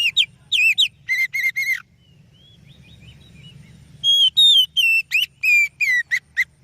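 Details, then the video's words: Oriental magpie-robin (kacer) song meant for luring other birds: quick bursts of whistles, a quiet gap with low background noise, then a string of clear falling whistles. "Suara Burung Kacer Yang Sangat Indah,Cocok untuk Pancingan"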